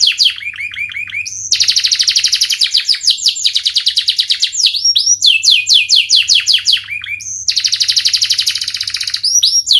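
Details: Panda canary singing energetically: long bright high trills of rapid repeated notes, broken by brief falling whistled phrases, three trill bursts over ten seconds, with a faint low hum beneath.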